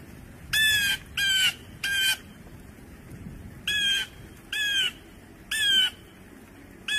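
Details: Blue jay (Cyanocitta cristata) calling in a rapid series of seven grating, nasal screams, some in close pairs, others spaced about a second apart, loud and clear above faint background hiss.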